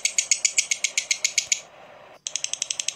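A lovebird's rattling chatter: high, harsh notes repeated about seven times a second. It breaks off briefly, then resumes at the same brisk pace.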